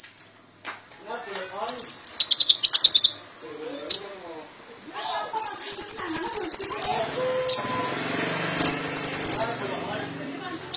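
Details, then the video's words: Sunbird, called kolibri ninja, singing vigorously in a full song packed with imitated phrases while swaying; very high, fast buzzy trills in repeated bursts, separated by lower wavering twittery phrases. "Burung Kolibri Ninja Gacor Full Isian l Sambil Goyang Itik"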